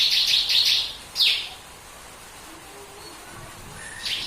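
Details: {'caption': "Bar-winged prinia giving a short 'tembakan' phrase, said to make other birds sing along: a dense rattle of high buzzy notes, one more chip, a long quiet stretch, then a final faint note."}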